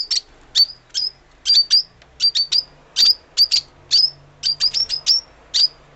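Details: Lovebird giving short, sharp, high chirps, singly and in quick pairs, about three per second with brief gaps, each note dropping slightly in pitch; quiet background without other clear sounds.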